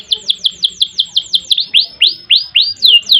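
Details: Canary in long ngerek and ngerol song: quick downward-sweeping whistled notes repeated rapidly, then slower, fuller upward-rising whistles spaced about three per second.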